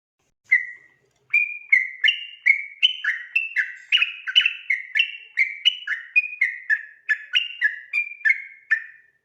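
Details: Night-time 'ropel' song of a sooty-headed bulbul, kept as training material for other birds: after one opening whistle, a lively unbroken string of clear, slurred whistles rocking between higher and lower notes.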